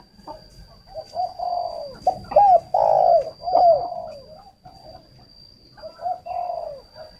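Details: Low, hollow cooing from a spotted dove used as a luring decoy, a phrase of clipped and longer notes in the middle, quieter coos toward the end, under a steady high whine.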